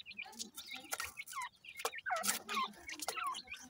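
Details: Several partridge chicks at morning food call with overlapping sliding peeps and short chirps, dense in the middle, accompanied by crisp clicks and patter.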